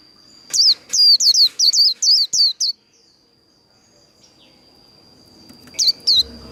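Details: Líu đấu song of a Japanese white-eye: a tight run of seven bright, falling whistled notes, a long quiet gap with a faint steady high tone, then two more notes near the end.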